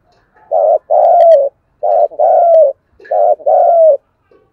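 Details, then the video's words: Spotted dove cooing, a recording used to stimulate captive birds to coo in wind and rain. There are three loud phrases, each a short coo followed by a longer, sustained mellow coo, about every 1.3 seconds, with no other sounds. "Cu bổi và mồi không chịu gáy"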